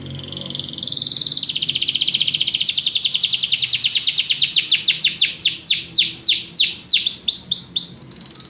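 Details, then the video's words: Canary song opening with a soft rising buzz that swells into a fast rolling trill, then slows into loud downward-swept whistled notes and ends on a steady buzzy tone. "Canary bird | o canário canta muito bem"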